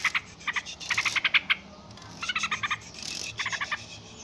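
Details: Noisy yellow-vented bulbul chatter in several short bursts of rapid, harsh chirps, separated by gaps with a light hiss.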